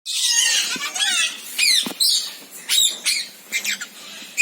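Senegal parrot giving harsh, squawking calls and sharp high squeaks in quick irregular bursts, some notes sliding down in pitch, with brief pauses between.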